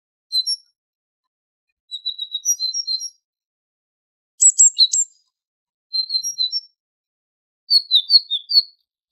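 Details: Tit sounds from a goldfinch training recording: short bursts of high thin twittering and whistled notes, some buzzy, separated by pauses of one to two seconds.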